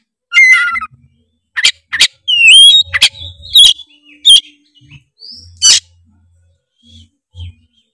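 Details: Tretes oriental magpie-robin in loud, full song meant to make rival magpie-robins sing. Opens with a trilled whistle, then scattered sharp chirps, a rising slurred whistle, and a few short whistled notes separated by brief pauses.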